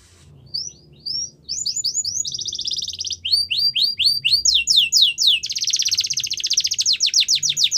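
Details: Russian canary training song building from separate falling whistles into fast buzzy trills, then swooping paired notes and a long dense rolling trill to the end.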